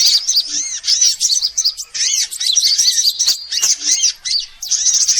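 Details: Sunbird lure recording for attracting all kinds of sunbirds: dense, high-pitched chirps and arched twittering notes overlapping almost without pause, with only brief gaps.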